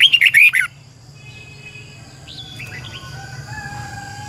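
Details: Red-whiskered bulbul, decoy bird singing to train others: an opening burst of five rapid, loud warbled notes, followed by quiet sliding whistles from other birds over a steady low hum.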